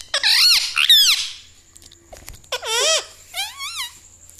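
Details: Talking pet parrot copying household words like mummy and mithu: two loud squeaky wavering syllables, a quiet gap with faint clicks, then two more curving, nasal-sounding phrases, the last one softer.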